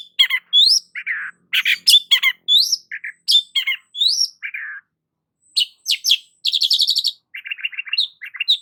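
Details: Long-tailed shrike in full song, a varied run of sharp, scratchy chips, upslurred whistles and short rattling trills at a fast, uneven tempo, with brief pauses between phrases.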